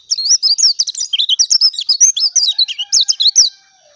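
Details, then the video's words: Clear, continuous song of a dakun oriental white-eye: a rapid, high, sweet warble of quick up-and-down notes lasting about three and a half seconds, then stopping. "SUARA ASLI BURUNG PLECI DAKUN JERNIH"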